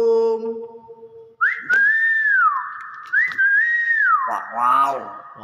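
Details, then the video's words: Talking common hill myna gives two long swooping whistles that rise, hold and slide down, with a person's voice before and after announcing a guest has arrived. "Burung Beo pinter unik banget"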